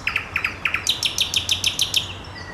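A nightingale sings: three doubled chirps, then a fast run of about eight sharp, high notes dropping in pitch, repeated rapidly. The background is quiet.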